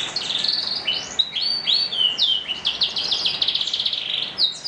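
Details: Morning song of a canary, loud and high-pitched: quick downward-slurred whistles, then fast chattering trill runs and repeated sharp notes, delivered almost without pause.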